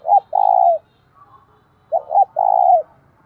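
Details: Spotted dove used as a decoy bird, calling to provoke rival doves to fight; two phrases of low cooing, each a short double coo followed by a longer drawn-out coo, about one and a half seconds apart.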